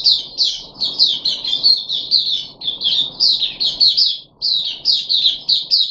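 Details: Puff-backed bulbul in captivity, recorded on the third day of deworming, 14 July 2021: loud rhythmic chirps in quick pulses, about four per second, with one short pause midway and faint hum beneath.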